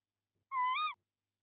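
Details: Tawny owl in a nest box in De Mortel during the 2021 breeding season, male feeding the female prey. A single nasal call, flat at first, then swinging up and down at the end, with quiet background.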